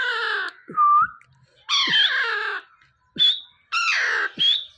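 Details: Alexandrine parakeet, a pet bird, calling in the morning: loud, drawn-out harsh screeches alternating with shorter whistled notes and clicks.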